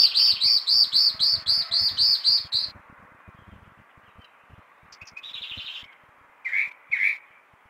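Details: Chalk-browed mockingbird in full morning song at 6 a.m.: a rapid, even run of about ten sharp, high repeated notes, a pause, then a short higher burst and two lower, louder slurred notes.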